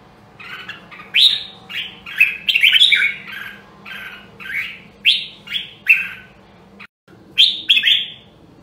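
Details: Rare Nam Đông, Huế red-whiskered bulbul in voice training: a lively run of bright whistled, warbling phrases, each rising then dropping, delivered in quick bursts about every half second to second with brief gaps.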